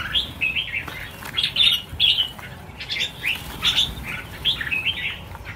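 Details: Red-whiskered bulbuls from a flock of about 1000 being released: many overlapping short bright chirps and slurred whistled notes, some rising and falling, sounding every fraction of a second, with faint wingbeat rustles behind.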